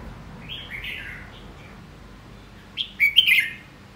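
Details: Red-whiskered bulbul: soft slurred whistles first, then a loud, quick phrase of three or four bright warbled notes near the end.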